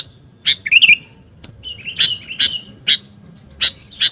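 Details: Sooty-headed bulbul calling vigorously to lure birds. A bubbly warble opens, then a drawn-out wavering whistle with sharp chips, and more single chips spaced about half a second apart.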